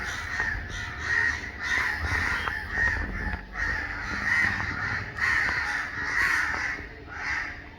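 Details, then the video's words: Many crows flocked together after someone disturbed them, cawing in protest; harsh, grating caws burst out in waves roughly every second, layered over a constant background of more distant crow calls. "Community of CROWS 🦅 Protesting | Kawe ki Awaz"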